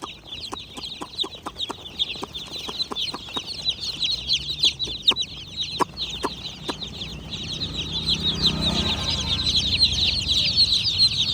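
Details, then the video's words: Baby chicks chirp in a shrill overlapping chorus. Early on, frequent sharp clicks or taps are heard. Later the peeping grows louder over a low rumble. "Chimerical BABY Chicks are Doing Chirping Sounds! MURGI Ke Bacche!"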